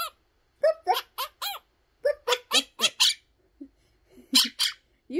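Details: A male pet Monk (Quaker) parakeet chatters in rapid harsh bursts, mimicking animal noises such as a pig's "onk onk" and a dog's "ruff ruff".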